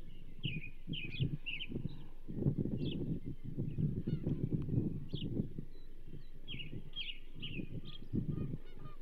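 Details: Banded female osprey at the Charlo nest, 27 April 2024, with a whole whitefish brought in. Strings of piercing whistled chirps, quick and downslurred, come in clusters at the start and end, with scattered single notes between, over wind rumble.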